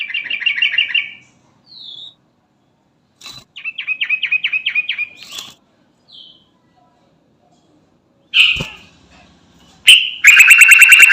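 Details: Sooty-headed bulbul, garuda type, calling its companions: short bursts of rapid, evenly repeated chirps, separated by brief slurred notes and pauses. The clip ends in a loud, harsh, buzzy rattle.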